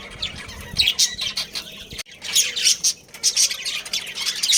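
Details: Budgies in a captive breeding colony warbling and squawking in quick high-pitched bursts, a brief silence at two seconds, then renewed busy chatter from several birds.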